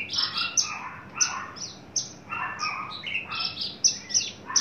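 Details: Adult male Horsfield's bush lark, caged and fully tame, just coming into breeding condition, described as very loud. It gives bursts of varied chirping and buzzy notes, some sliding downward, repeated at irregular intervals of about half a second.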